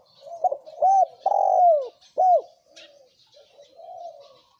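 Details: {'text': 'Spotted dove pair, male and female, giving thổ kim coos to provoke wild doves: a quick run of short hooked coos, then a long drawn, falling coo and a final clipped note, with faint twittering above.'}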